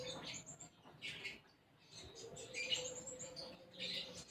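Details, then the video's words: Sunbird singing actively, its song filled with imitated sparrow phrases: short bursts of high, scratchy chirping notes in three spaced clusters, with a steady low hum beneath and quiet gaps between bursts. "Konin Gacor Isian Gereja"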